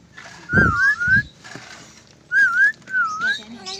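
A lorikeet whistles three clear, wavering, tune-like phrases that dip and rise in pitch, about a second apart, over a faint low rumble and thumps.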